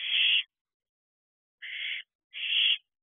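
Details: Owlets at a nest box at night, 3:22 am on 29 June 2023: three harsh, hissing screeches, each under half a second, with a long silent gap after the first.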